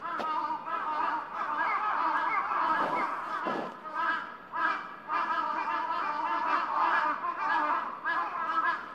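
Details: Evening flock of crows back at their roost on Gaikotsu-yama, Japan, 17 February 2020: a dense, unbroken chorus of overlapping hoarse, nasal calls from many birds.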